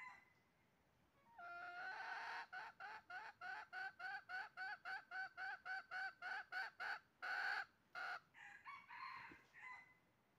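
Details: Red junglefowl calling amid trapping, 20 January 2023: a steady series of about twenty short, evenly spaced clucking notes, then a louder drawn call and scattered notes.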